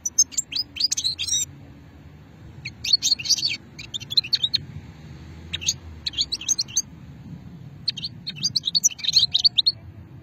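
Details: European goldfinch, locally called moknine, described as an old strain, recorded at Hammam Guergour in the Sétif area, Algeria, in 2020; bursts of rapid, high, tinkling twitters every two to three seconds over a low background hum.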